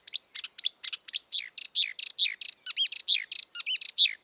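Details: Marsh warbler singing in the wild, a fast varied chatter of buzzy notes, clicks and rising-falling whistled slurs, with mimicry-like phrases following one another about once a second, no other sounds.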